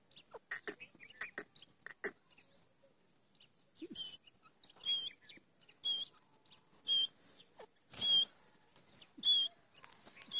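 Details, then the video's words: Grey francolin in forest calling with short, sharp whistled notes repeated about once a second through the second half, preceded by scattered clicks and rustling taps. "Francolin ki awaaz"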